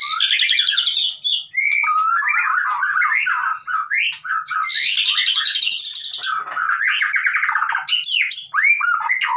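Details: Continuous white-rumped shama song played to prompt a mute bird to sing, packed with fast chattering runs, rising and falling whistled slurs and dense high buzzy trills with almost no pauses.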